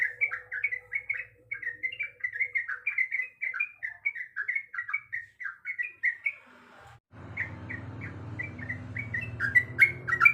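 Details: Sooty-headed bulbul female calling a male: an even stream of quick liquid whistled notes, a brief silent break, then the whistles continue over a sudden rumbling, hissy background.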